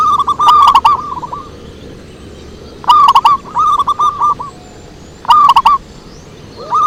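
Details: Zebra dove singing as a lure: three strong phrases roughly every two and a half seconds, each a ringing burst followed by a descending chain of soft, bubbling coos.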